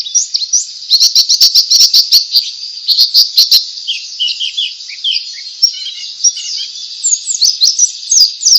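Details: Pleci (white-eye) ngalas song, meant to prompt other white-eyes to sing. It opens with a steady stutter of sharp clicking chirps, then shifts to a looser, rambling high twitter with swooping notes.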